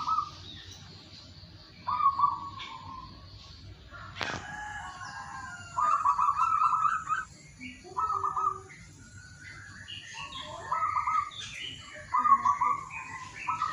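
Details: Zebra dove song, used in the morning as a lure to prompt lazy caged doves to start singing: soft, low, rolling coos repeated in short bursts, with brief higher chirps from other birds and one sharp click.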